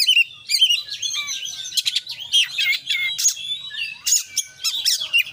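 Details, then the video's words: Oriental magpie-robin singing actively in 'full isian' style, a rich varied song of high whistled, slurred and chirping phrases with sharp upsweeps and short trills, delivered almost without pause over a faint low hum. "kacer gacor KONSLET full isian"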